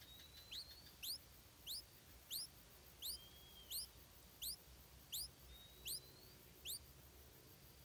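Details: A stripe-throated bulbul chick begging at the nest while its mother brings insects gives thin, high squeaky upslurred notes about every two-thirds of a second, with a few faint drawn-out whistles between them.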